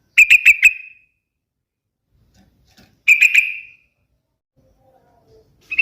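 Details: Sooty-headed bulbul uttering quick bursts of four or five clear, ringing notes, repeated a few seconds apart, with soft faint sounds between phrases.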